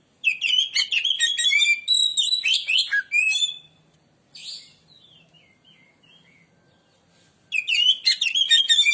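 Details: Lure song from an Oriental magpie-robin: a rapid, rich stream of whistles and scratchy trills, a pause with a few soft notes and a faint low hum, then another energetic burst.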